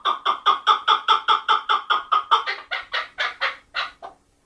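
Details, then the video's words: A chukar partridge (keklik) gives a fast run of about twenty clucking chuk notes, steady at first, then harsher and fading at the end. "Keklik sesi"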